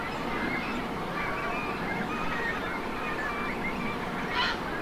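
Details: Great cormorant young at their nests on Lac de Maine, Angers, 24 July 2024: scattered short, wavering squeals and honking calls from several birds over a steady roar of water and wind.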